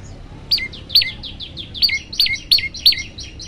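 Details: Olive-backed tailorbird song used for training other birds to sing: loud high notes that drop sharply in a hooked shape, repeated irregularly about seven times, with fainter echoing chips between.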